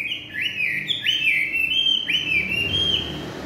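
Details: Chinese hwamei singing in the evening: loud, clear whistled phrases that slide up and level off, repeated about once a second, bright and ringing with no other sounds.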